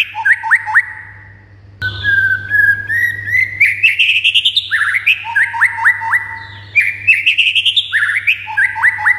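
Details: Energetic white-rumped shama song aimed at provoking other shamas to sing: repeated phrases of quick slurred whistles and chips, a brief quiet gap, then long rapid sequences of varied notes over a steady low hum.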